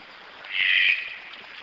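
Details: A single hoarse, croaking note from a Red-breasted toucan, roughly half a second long and fairly even in pitch, set against a light steady hiss.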